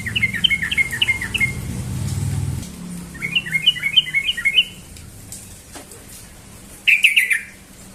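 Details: Morning ropel song from a sooty-headed bulbul: three rapid bursts of crisp, rising-and-falling whistles, each a tight run of many notes. A low rumble sounds under the first burst, with quiet pauses between phrases.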